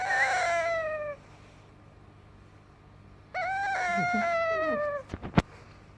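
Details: A baby yellow rose-ringed parakeet, saying his first words, gives two drawn-out, cat-like meows, each sagging slightly in pitch, followed by a couple of sharp clicks.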